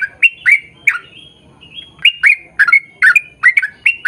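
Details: Sooty-headed bulbul delivering lengthy rapid-fire song to prompt others of its kind to join in: a few warbled notes, a short gap with a faint whistle, then quicker bubbling phrases.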